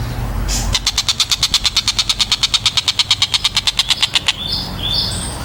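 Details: Tengkek buto kingfisher delivering one fast, regular run of about thirty sharp, bright notes over roughly three and a half seconds. A few thin whistles follow after the run ends.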